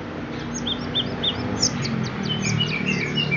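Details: Orange-headed thrush, a ringed shop bird at Graha Raya Serpong in full 'gacor' form, delivering short clear whistled notes and sharp chirps in quick succession, some rising, some falling, against a steady low rumble.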